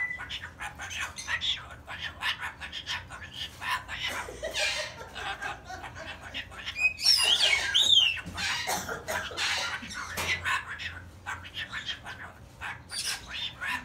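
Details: A cockatoo chatters in a run of speech-like mumbles and squawks with a few sharp whistled notes near the middle, in a small indoor room; its owner says it is telling a story and laughs at the end.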